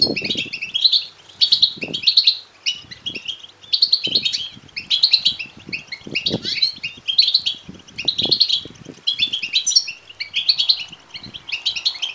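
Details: Goldfinch chicks begging, meant to spur male European goldfinches to sing and mate. A steady stream of shrill, crowded twitters pulses in short bursts throughout, with occasional low thuds.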